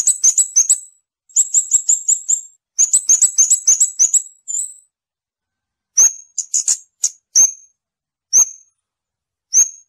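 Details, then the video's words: Scarlet-backed flowerpecker singing: short stuttering trills of very high, thin notes in three bursts, followed by scattered single sharp high chips; no other sounds. "เสียงนกชมพูสวน, นกขุนช้างขุนแผน, Scarlet-backed Flowerpecker Song."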